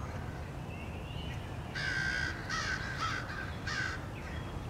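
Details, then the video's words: A crowd of crows harassing a male bald eagle at its nest, 30 March 2016: a thin rising note, then four loud, raspy caws in quick succession over a low steady hum. "Crows attack"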